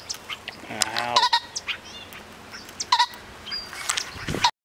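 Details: Male pheasant cackling from brush after chasing someone down and flying into cover. Harsh, loud calls repeat three times, roughly every one and a half seconds, among frequent chirps and whistles of other birds.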